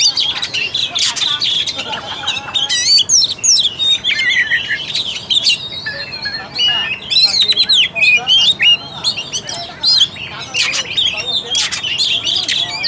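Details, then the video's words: Extended Oriental magpie-robin lure song to stir a lazy kacer's fighting mood: continuous mix of whistles, scratchy trills, sharp chirps and swooping notes, loud and dense throughout. "PANCINGAN AMPUH UNTUK KACER MALAS BUNYI DAN KURANG FIGHTER."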